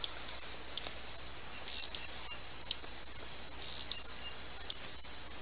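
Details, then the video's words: Hummingbird call series: sharp high chips, each followed by a brief buzzy burst, in pairs about once a second over a constant faint high whine. "Koliber. Odgłosy Kolibra. Dźwięki kolibra. Odgłosy jakie wydaje koliber."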